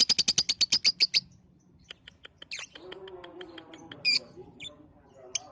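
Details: Lovebird lure sound aimed at young birds under five months: a quick burst of loud high chattering notes, then sparse thin chirps and a few squeaky calls over faint low murmuring.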